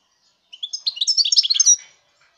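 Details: Goldfinch singing in 2019, a rapid liquid twitter of bright, high trilled and chirping notes running for about a second and a half against a quiet background.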